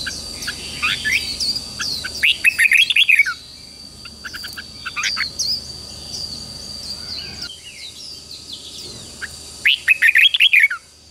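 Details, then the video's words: Red-whiskered bulbul training song to rouse newly caught birds into morning competitive singing: rich warbled phrases at about two seconds and again near ten seconds, scattered softer chirps between them, and an unbroken high tone throughout. "luyện giọng chào mào hót sáng kích bổi hót đấu căng lửa"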